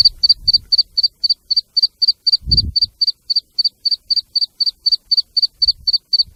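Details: Black francolin chicks calling alongside the female: a long, very regular series of high, sharp, doubled peeps about four per second, with a few low thumps in the background.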